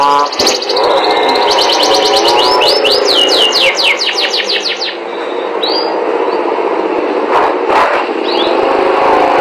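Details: Canary singing melodiously: a run of quick repeated rising notes forming a rolling trill, followed by a few short whistles over a steady background rumble.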